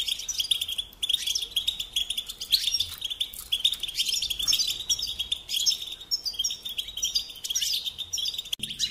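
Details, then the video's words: European goldfinch song: continuous high twittering and chattering with buzzy notes over a constant hiss, with little break across the whole stretch. "Singing Along with Goldfinches"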